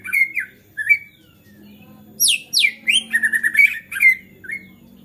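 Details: White-rumped shama singing agitatedly to goad other shamas into song: short rich whistles, a pause, then steep high downward sweeps and a rapid stuttering series of clipped notes, ending in a clear whistle, over a soft hum.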